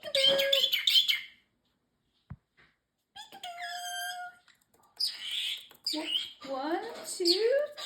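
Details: Pet male parrotlet talking indoors, repeating learned phrases like peekaboo and excuse me. High, squeaky chatter with thin whistled tones and bursts of clipped, rapid syllables separated by short pauses.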